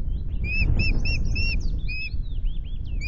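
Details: Osprey at the Loch Garten nest, Scotland, 10 May, during a changeover of the incubating pair on two eggs: quick, irregular, thin whistled chirps and slurred squeals, some rising and some falling, above heavy low wind noise.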